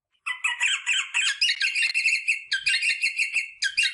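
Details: Rosella sound meant to prompt mating: continuous rapid chattering with bright, buzzy harmonics, pulsing in quick beats for about three and a half seconds, with a brief pause before a final burst.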